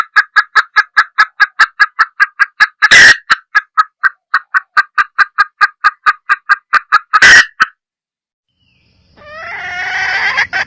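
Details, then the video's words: Junglefowl hen clucking in a fast, regular series for over seven seconds, broken by two loud harsh bursts, followed by silence and then a different rising, wavering sound. "Tiếng gà rừng(Mái) | Sound of the Gallus"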